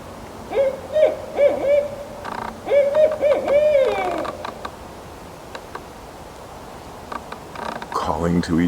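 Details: A Barred Owl, one of a family and possibly a mating pair, hoots in forest bush at Wasaga Beach, with no reply: deep, rhythmic hoots in two bursts, rising and wavering, with a faint rustle at the end.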